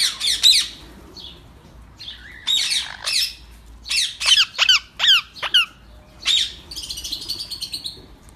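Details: Indian ringneck parakeets at feeding time, captive, with yellow, blue, white and grey colour forms: loud harsh squawks in irregular bursts, sharp descending screeches clustered around one to six seconds, a softer chattering trail near the end.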